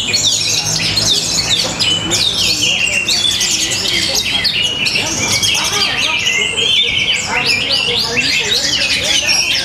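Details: Orange-headed thrush, a caged contest bird in Tabanan, Bali, singing a rich, fast, varied song of shrill whistled phrases, trills and sweeping notes in a continuous dense stream, described as powerful and stylish.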